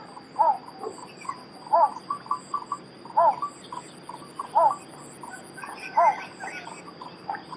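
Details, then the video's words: A bittern, a very small heron of marshy, well-vegetated waters, gives a short, hoarse, arched call repeated about every one and a half seconds, with a steady high insect hum and faint chirps from other birds. "BITTERN BIRD| SOUND/ CALL"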